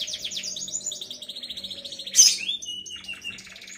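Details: Canary song in the long ngriwik style, used as tutor song for young canaries about three months old: fast rolling high trills in rapid pulses, one sharp loud note, then a steady lower whistled tone.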